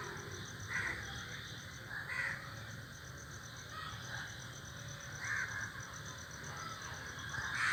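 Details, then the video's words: A tree full of crows calling: single hoarse caws sound roughly every one to three seconds, fairly distant, against a constant shrill background drone. "A flock of crows sitting on the tree is making noise"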